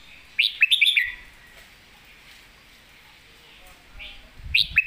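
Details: Red-whiskered bulbul 'phleng mae bot' master song: a lively phrase of several rich, chirpy whistled notes, a quiet gap with a soft note, then another rapid bright burst, with slight low thumps.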